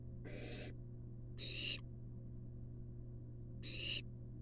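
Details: Begging from a wild barn owl nestling in a research nest box as its mother brings a long-tailed rat; three rasping, hissy shrieks with irregular gaps, over a constant low hum.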